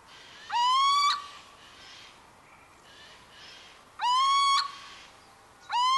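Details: Little owl (Athene noctua) repeating a clear, upward-sliding, slightly nasal whistle three times at roughly three-and-a-half-second intervals, each note brief and strong against faint background noise.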